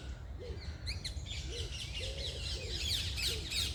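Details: Birds singing in the morning: high quick chirps and twitters over a steady low rumble, with a few soft arched notes lower down.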